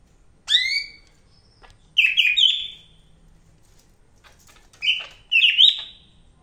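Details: A Medan greater green leafbird in energetic song, a sharp downward-swept note followed by warbled fluty phrases and twittering, delivered in bursts a couple of seconds apart.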